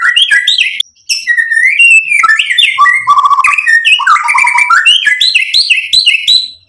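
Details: White-rumped shama (murai batu) lure song meant to provoke and excite: rapid, highly varied whistled phrases jumping between low and high notes, mixed with rattles, almost without pause.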